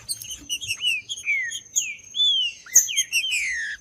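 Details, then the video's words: Trinca-ferro, the green-winged saltator, in full song meant to warm up a cold caged bird: a run of clear, drawn-out whistles, each falling in pitch, over sharp high chirping and a constant thin high tone. "TRINCA FERRO CANTANDO"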